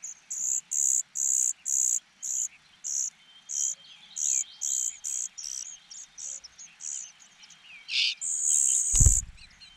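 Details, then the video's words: Hungry cuckoo chick begging while parent birds feed only their own young: loud, high, thin chirps repeated in rapid bursts, about two per second, with a sharp clatter near the end. "Cuckoo birds are so hungry"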